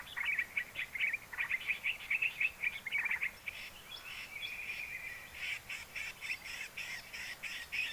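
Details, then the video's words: Hill prinia song from Sumatra, played as a lure for trapping with nets: rapid, repeated sharp chirping notes in quick series, followed by a steadier run of evenly spaced ticking notes, over a constant hiss of background noise. "suara asli burung prenjak gunung /ciblek gunung Sumatera"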